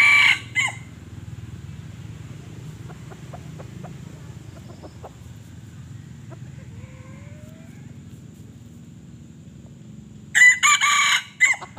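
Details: Young decoy junglefowl used to lure wild junglefowl for capture, giving a short harsh crow at the start and a louder broken crow near the end, with low rumbling background noise and faint chatter between.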